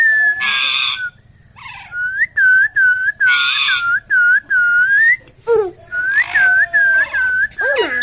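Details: Talking parrot mixing harsh, buzzy speech-like bursts with a run of clear whistled notes, each a short dipping slur, repeated about twice a second, plus a few rising and falling squeaks.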